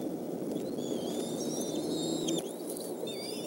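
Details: Eaglets at the Decorah nest feeding on fish brought by the adult male, evening of 17 May 2014; high thin whistled notes, some wavering and dropping, overlapping in a loose chorus above constant low hiss.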